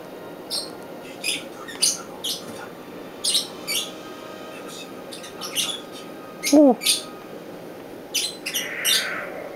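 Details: Northern white-faced owl chick, recorded 2011-09-10, giving short raspy hissing bursts at irregular intervals, about a dozen over ten seconds, with one brief tonal chirp midway and faint room background.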